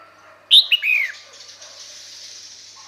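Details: Female red-whiskered bulbul calling to attract males: one loud, bright phrase that opens with a sharp high note, then slurs down through two short whistled notes. A faint steady hiss continues afterward.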